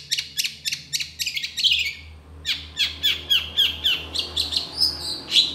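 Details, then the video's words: Long-tailed shrike delivering a rapid-fire burst song meant for tutoring other birds: quick evenly spaced high chips, about four a second, then sharp rising whistled notes, with steady low hum behind. "CENDET GACOR ISIAN TEMBAKAN MEWAH"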